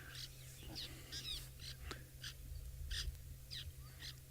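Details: Fork-tailed Drongo at an African safari waterhole calls at a drinking animal, apparently complaining and wanting to drink itself, with short, high, metallic and twangy notes of varied shape, about two or three a second, over a steady low hum.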